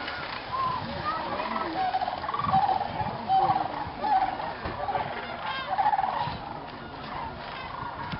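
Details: Wild Sandhill cranes at dusk at Jasper-Pulaski Indiana State Fish and Game Preserve, a huge flock gathering before going to roost in the swamp: loud rolling trumpeted calls rising and falling in waves over a steady background chorus.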